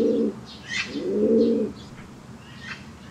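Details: White fancy pigeon standing on one leg, cooing twice: a short low coo, then a longer rolling one of about a second, with faint chirps in the background.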